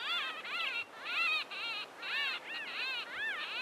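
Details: Three White-fronted Bee-eaters interacting with one another near Carlisle Bridge, Grahamstown: a steady run of nasal, rich, arched notes, each rising then falling, given in overlapping bursts with brief gaps.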